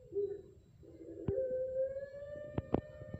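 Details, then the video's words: Pelung turtle dove from a competition line owned by a Central Java breeder, Indonesia: two short low coos, then a level, slightly rising drawn tone, punctuated by loud knocks and clicks. "Contoh Irama Puter Pelung Trah Lomba Kelas Utama dan Madya"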